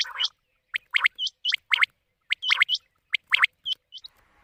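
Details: Monsoon-season quail lure played at night for hunting: steady run of loud, clipped rising chirps in twos and threes, each cluster followed by a higher short whistle-like note.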